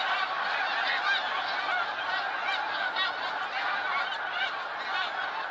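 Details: Snow geese in a huge flock, 28 February 2013, keep up an unbroken chorus of high barking honks, hundreds of voices layered into a steady roar.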